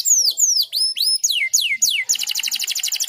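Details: Canary master song for training young canaries, a unique cengkok style: repeated falling whistled slurs, then rising upslurs, ending in a fast buzzy trill of rapid notes.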